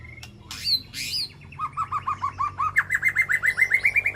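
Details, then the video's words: White-rumped shama calling to its flock inside a peaceful aviary: a few bright upslurred notes, then a fast run of short whistled notes repeated about twice a second, rising in pitch toward the end. "Sound of White-rumped Shama Call to Flock"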